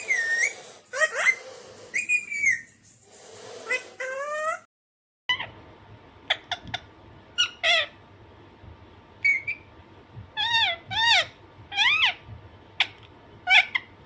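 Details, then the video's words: Pet Alexandrine parakeet making loud squawks and shorter screeches, first in a dense burst, then after a brief silence as spaced, rising-falling notes, with a faint steady hum behind. "Alexanderine naughty parrot/parrot natural sound"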